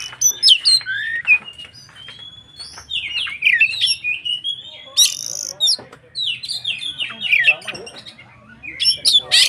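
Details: Singing white-rumped shama, used to spur other shamas to sing: continuous varied phrases of whistled slurs, descending sweeps and harsh rasps, moderately loud, over a faint low hum.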